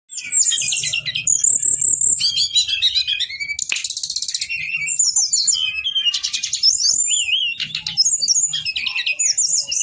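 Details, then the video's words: Brown-chested jungle flycatcher, male, singing a long rolling song: dense bursts of high, fast trills and sliding whistles alternating with buzzy, chattering phrases, nearly continuous throughout with brief pauses. "SIKATAN RIMBA DADA COKLAT NGEROOLL PANJAAAANG"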